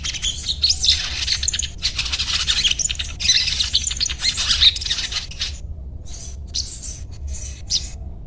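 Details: Sogon, or crimson sunbird, singing in the ngriwik style: a dense, hissing torrent of very high, rapid twittering notes for five seconds, then short separate bursts, over a steady low hum.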